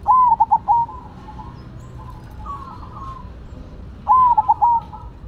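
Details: Zebra dove (perkutut), Cemani and Silver varieties singing against each other: a loud whistled coo phrase of stuttering notes opens, then a softer, lower warbling phrase, and a second loud stuttered coo around four seconds in.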